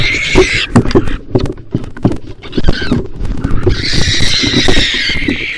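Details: Wild barn owls fighting inside a nest box to claim it as territory. Harsh, hissing screeches burst out at the start and return longer near the end, with scuffling thumps and knocks in between.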